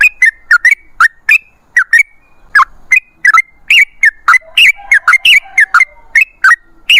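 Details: Yellow-vented bulbul singing a lively, continuous string of short, liquid whistled phrases, quickly repeated and slightly varied, in a quiet setting.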